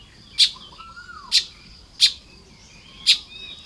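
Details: Morning nest-building Baya weavers in Lopburi, Thailand, on 1 May 2026. Four crisp, high clicking chirps at uneven gaps, with a soft, slurred whistle curving downward early on.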